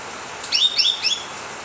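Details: Blue-winged leafbird song used as a lure to prompt other birds to sing, Ciamis: three quick, high, sweet chirped phrases, each swooping downward then levelling off.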